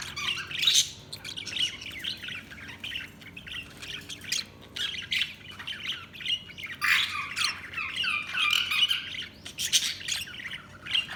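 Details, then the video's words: Budgies chattering continuously: short high chirps, warbles and squawky notes in irregular bursts, with a busier, louder stretch of squawks in the second half. "Budgies Sounds| Budgies Chirping sound"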